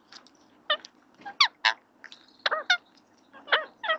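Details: Two male parakeets argue at a fat block feeder over whose turn it is, trading harsh, nasal squawks in quick irregular bursts, about a dozen in four seconds, at 18:42 on 24 April 2024.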